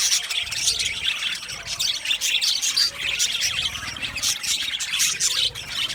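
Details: A budgerigar colony in an aviary, many birds chirping together in a dense, continuous stream of high, scratchy twitters and short squawks with no pauses.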